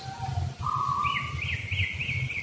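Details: Greater green leafbird (cucak ijo), a kept bird conditioned for breeding drive, emotion and stamina, giving clear whistles stepping up into quick, wavering high notes, about four in under two seconds, over low rumble and a man talking.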